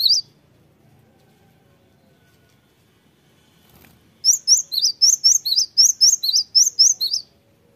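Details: Cinereous tit song: after a single early note and a long pause, a rapid series of high two-part whistled phrases repeated about a dozen times at a steady pace.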